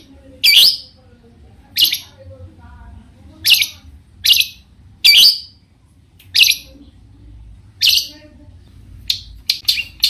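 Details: Long-tailed shrike issuing scattered harsh, scratchy notes at uneven intervals, ending in a quick cluster, sung to provoke other shrikes into answering.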